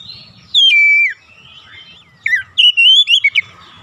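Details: Oriental magpie-robin song played to provoke other magpie-robins: a long steady whistle dropping in pitch, then a rapid run of short chirps and a wavering whistled phrase, low rumble in the background.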